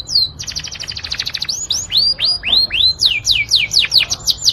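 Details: Master tutor song of a Yorkshire canary: a rapid buzzy trill gives way to a string of loud, rich whistles, each sweeping steeply downward then rising, repeated roughly twice a second.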